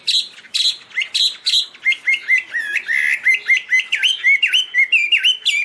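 A Chinese hwamei sings loud, clear phrases: first a few quick, high, falling notes, then a run of varied whistled and slurred phrases at a fast pace.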